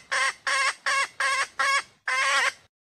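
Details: Female red junglefowl in Sumatra, calling in a way used to entice males to approach or crow; six longer, nasal, harmonic squawks at a slower, uneven pace, the last one drawn out.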